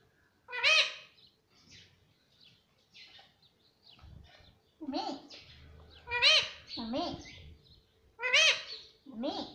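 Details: Pet Indian ringneck parrot mimicking mummy and papa; a string of short speech-like syllables and two-part phrases, some shrill and some lower, repeated every second or two, with faint human voices and room noise.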